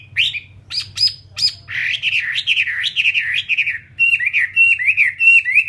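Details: Chinese hwamei, a caged fighting bird, starts with three sharp, high upswept notes, then pours out a wavering, rapidly modulated warble before ending in evenly spaced, looping whistled phrases.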